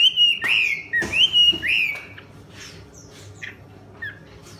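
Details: A wild female Chinese hwamei (Garrulax canorus) in her second season gives three loud, slurred whistles with harsh edges about every half second, then softer scattered chirps.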